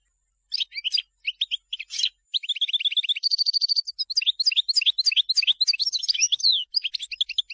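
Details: European goldfinch song, selected for tutoring fledglings: spaced chirps that build into a dense, fast twitter, including a short buzzy trill and a tumbling run of high, tinkling and rasping notes.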